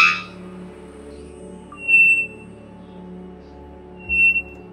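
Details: A Three-wattled Bellbird (Procnias tricarunculata) gives two loud, pure, ringing notes about two seconds apart, each held briefly at a high even pitch, over soft background music.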